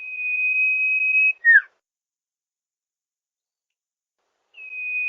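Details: Sirtu master call for luring wild birds in rice fields: a long, level whistled trill followed by a brief dropping slur, then silence, then the trill starts again.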